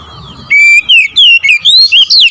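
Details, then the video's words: Oriental magpie-robin with a short nembak ngerol outburst: a steady high whistle, then quick slurred whistles climbing higher in tight loud pulses. "KICAUN KACER NEMBAK NGEROOL"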